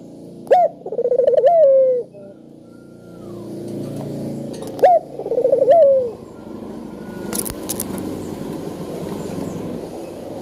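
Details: Spotted dove giving calls meant to make other doves call: two phrases of a sharp note and a rolling, falling coo, followed by several seconds of broad hiss and clatter.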